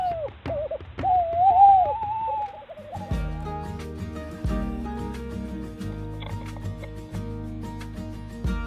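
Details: A male Tawny Owl in North Yorkshire woodland, UK, gives a quavering, wavering hoot held on a mid pitch for about two seconds, calling to defend his nest site against an intruding owl heard in the distance; background music follows.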